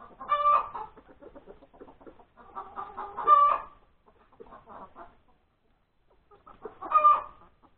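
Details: Hen cackling at breakfast time on Sunday, January 31, 2021, after laying an egg: runs of short, rapid clucks, each run building to a loud, drawn-out nasal squawk, with two such peaks a few seconds apart.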